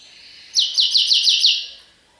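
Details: European goldfinch delivering a serfati tiwawati song phrase: about six rapid, identical high notes repeated in an even series lasting roughly one second, over soft background hiss.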